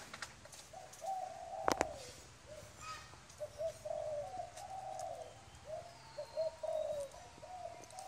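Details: Wild-caught adult spotted dove giving quiet, mellow cooing phrases of several joined notes, repeated steadily, with a sharp click near the start and light background noise.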